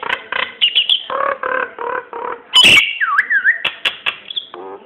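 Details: A Nias hill myna sings as a lure for getting other birds to sing, mixing throaty warbled notes, a loud sharp crack, swooping up-and-down whistles and a closing low gurgle.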